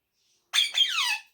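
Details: A pet rose-ringed parakeet that talks in Urdu and Hindi gives one loud, nasal, drawn-out squawk in two parts, the second sliding downward and fading.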